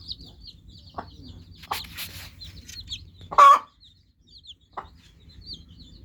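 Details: Several newly hatched chicks give thin, high chirps, sparse at first. A louder, rough burst stands out near the middle, with scattered taps around it.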